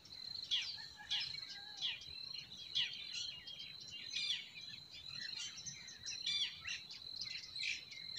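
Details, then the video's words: Springtime forest birds: repeated clusters of sharp, high chirps and quick downward flicks pulse at a brisk, uneven pace, layered with fainter distant singers and a constant high thin tone. "Relaxing Singing of Forest Birds"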